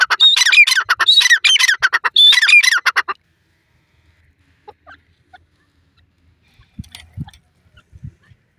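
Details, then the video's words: Dakhni teetar (francolin) giving three quick bursts of harsh, grating, high-pitched calls in the first three seconds, then silence apart from faint low knocks. "teetar voice,teter awaz,dakhni teetar sound,francolin bird sound"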